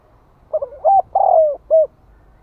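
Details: Calling spotted dove used as a decoy to stimulate wild birds. A single low, mellow phrase: stuttered opening notes, a rising coo, a long falling coo and one short final note.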